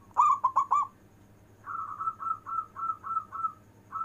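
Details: Local zebra dove cooing with long breath. A loud three-note rolling coo opens, then a steady run of about eight softer, even coos. These softer coos repeat several times a second and sit slightly higher.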